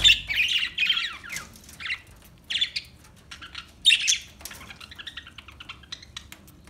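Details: Budgie, an Australian parrot, giving bursts of harsh, squawky chattering warble in quick clusters, loudest near the start and around four seconds, then trailing into softer rapid twittering notes.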